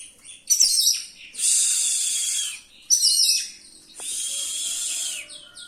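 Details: Oriental magpie-robin with a rolling song full of varied filler phrases, meant to provoke rival birds: sharp high chattering bursts alternate with long, harsh, hissing buzzy notes, each lasting about a second.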